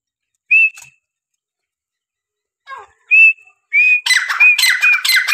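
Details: Francolin calling: short whistled notes, each slightly rising, given singly with pauses, then a harsh, grating burst of rapid broadband notes with whistled tones running through it near the end.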